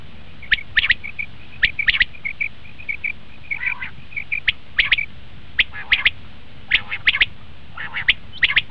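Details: Common quail calling, a sound used by hunters as a lure: scattered short, grating chirps and soft trilled notes spaced irregularly over a steady low background noise.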